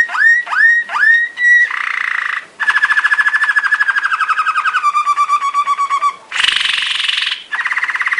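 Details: Malinois Waterslager song canary training song: three rising whistled notes, soft bubbling rolls, a long rattling trill that drops lower, a clipped bell-like trill, then a harsh burst and a final bubbling roll.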